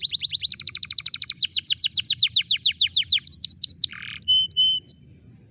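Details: Canary song used as a lure to get a canary that has stopped singing to sing again: fast high trills of repeated notes, then slower downslurred notes, a short harsh buzz and a few clear whistled notes.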